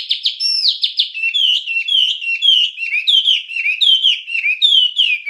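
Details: Wambie song used as a master recording for training songbirds: a fast run of high, sharply falling whistled notes that settle into repeated slurred, downward phrases. No other sounds.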